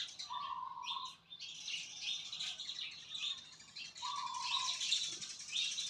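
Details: A continuous wash of high bird twittering and chirps, with a flat, drawn-out lower whistle at the start and another about four seconds in.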